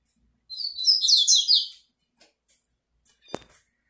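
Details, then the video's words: A double-collared seedeater sings at a female: one dense phrase of high, rapidly descending and rising chirps for over a second, then small clicks and a sharp knock. "COLEIRO CANTANDO DE CARA Fêmea"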